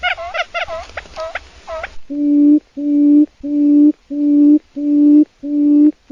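Quail calls: a quick burst of bright rising-falling chirps, then six low, steady hooting notes about two-thirds of a second apart.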